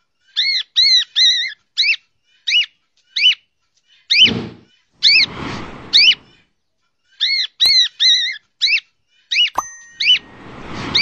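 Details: Cockatiel repeating bright up-and-down chirps in quick runs and pauses, mixed with dull thumps, rustling and a couple of sharp knocks.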